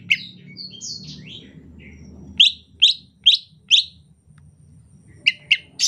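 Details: Rainy-season song from a greater green leafbird, soft and chattering. A medley of slurred, falling whistles leads into four strong, sharp notes repeated about every half second, with more after a pause; a low hum runs underneath.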